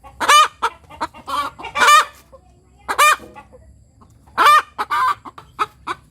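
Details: After laying an egg, a free-ranging ayam kampung hen gives a high, shrill cackle: loud stretched 'petok' cries separated by a few quick clucks, with a quiet gap in the middle.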